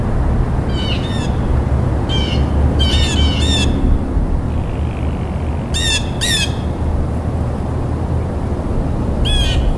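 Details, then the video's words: Loud, repeated blue jay squawks come in uneven clusters of two to four rasping notes across the stretch. A steady low rushing noise runs beneath. "Blue Jay Bird Calls"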